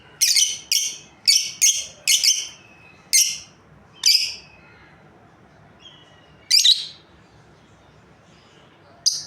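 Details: Breeding pair of lovebirds in a rapid burst of seven scratchy, shrill chirps in the first four seconds, then two more spaced chirps and one at the close.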